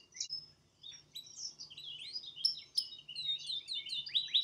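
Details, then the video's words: Male pet canary singing live before a television, with a quick jumble of twittered, sliding chirps that grow louder and denser, over a faint low hum. "Best Canary singing live"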